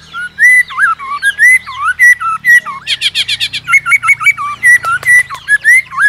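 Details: White-rumped shama singing hard to provoke competitive song, clicking and tail-flicking; strong whistled phrases rising and falling, one rapid rasping burst midway, then more clear whistles over a low hum.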